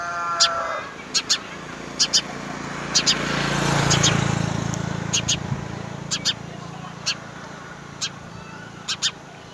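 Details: House sparrows, both parents feeding three young at the nest, give short, sharp chirps in irregular bursts, some doubled, as the young beg for food; a low vehicle rumble swells and fades midway.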